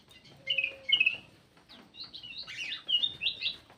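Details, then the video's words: Lure call of a black-crested bulbul, clear whistled notes in two quick bursts, then a run of sliding, slurred chirps rising and falling, quiet between phrases. "SUARA PIKAT KUTILANG EMAS"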